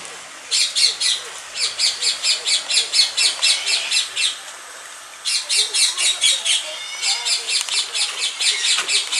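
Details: White-naped crane (Antigone vipio) at World of Birds Wildlife Sanctuary, Hout Bay, Cape Town, 19 November 2015, giving loud, harsh trumpeting calls, about two per second, in two bursts separated by a brief pause.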